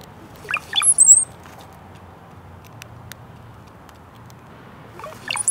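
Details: Brown-headed cowbird in Michigan: a second of low, liquid gurgles sliding into a thin, piercing high whistle, then another gurgling burst at the end. Quiet otherwise.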